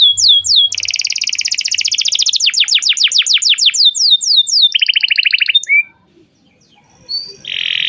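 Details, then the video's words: Long, energetic canary song meant to coax a juvenile canary into learning: a few quick downslurs, then a sustained rolling trill and rapid repeated falling notes, a short pause, then a brief buzzy burst. "kenari gacor panjang Cuit Cuit EMOSI, Pancingan Kenari Paud Belajar Bunyi"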